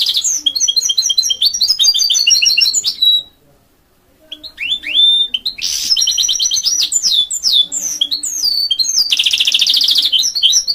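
A goldfinch mule sings a fast, bright twittering song of high trills and rapid chirps.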